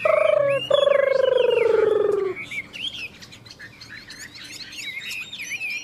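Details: Chinese hwamei in a two-bird singing match: a loud, low, buzzy drawn-out note lasting about two seconds, briefly broken, then softer scattered whistled phrases at higher pitch.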